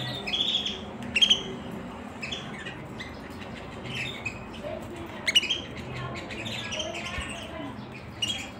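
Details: Sharp high chirps from a singing canary, a few loud bursts with pauses between and softer twitters filling the gaps over faint background noise.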